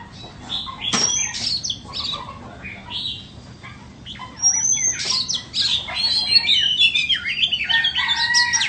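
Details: Oriental magpie-robin ('than bông'), caged and for sale, begins with soft scattered notes and a sharp click, then breaks into an energetic stream of high whistles, sweeping slurs and rapid twittering.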